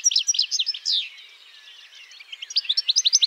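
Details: Song of a European goldfinch, a fast jumble of bright chirps and liquid twitters that briefly softens into a faint buzzy trill before the rapid tinkling notes return.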